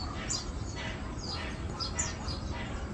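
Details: Yellow-vented bulbul, locally called luklak, feeding, recorded 4 August 2022; short sharp downslurred chirps come roughly twice a second, some paired, over a steady low rumbling background.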